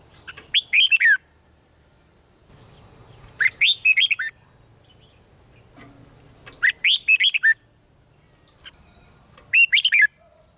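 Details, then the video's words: Red-whiskered bulbul in the Thai 'boen' song style, singing nonstop, played to provoke other bulbuls into singing: four short bursts of rapid, slurred whistled notes, about three seconds apart, with a thin constant high tone behind. "เสียงนกกรงหัวจุกเบิ้ล ร้องริก"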